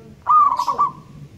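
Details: Local Indonesian zebra dove singing loudly: one ringing cooing phrase with a quick stuttered, rolling middle, lasting under a second, over faint low background rumble.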